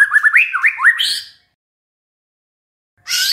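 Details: White-rumped shama pancingan, a lure to stir a stressed shama into song: quick upslurred whistled notes about twice a second, ending in a harsh scratchy squawk, another after a pause.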